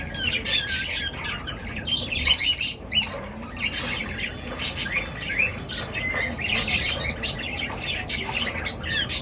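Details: Morning bird chirping that wakes a sleeper: dense, overlapping high twittering and squawky chirps from several birds, continuous throughout with no pauses, over a low steady background hum.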